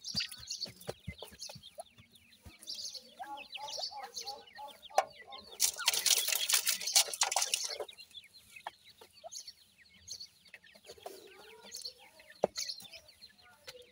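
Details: Many young Irani teetar francolins cheep in thin, rapid, high chirps, roughly two a second. A loud hissing rustle covers the middle two seconds, and a few lower clucking notes and sharp taps are mixed in.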